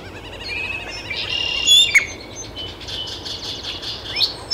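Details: Great-tailed grackle calling in Taos, New Mexico, 17 June 2017: high buzzy notes and a bright squeal, then clipped chips and clicks against light background noise.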